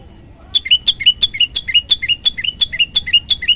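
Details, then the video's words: Yellow-bellied prinia in a training recording meant to stir up listening birds: after a brief quiet start, about eleven sharp chirps arrive roughly three a second, each a high descending note dropping into a lower clipped tail. "masteran burung prenjak lumut bikin emosi burung yang dengar"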